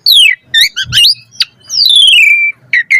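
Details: Asian pied starling singing a varied lure song meant to get other starlings singing: a long falling whistle, a burst of clipped chattering notes, then a drawn-out sliding whistle and two short squeaks.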